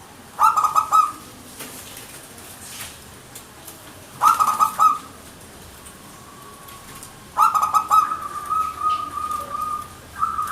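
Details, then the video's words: Manggung song of a local zebra dove, or perkutut: short bursts of fast, pulsing coo notes repeated every few seconds, the last burst trailing into a thin steady whistle. "PERKUTUT MANGGUNG GACOR GAYER 100% suara burung Lokal"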